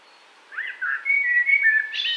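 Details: Common blackbird near Wittlich, 2018: a short whistled phrase of smooth flute-like notes, holding a steady mid pitch, then a sudden thin, high squeaky ending.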